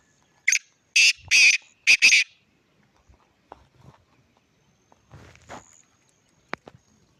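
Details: Black francolin calling: a loud, harsh series of buzzy, scratchy bursts in quick succession, one short then two longer notes, followed by quieter faint clicks and rustles.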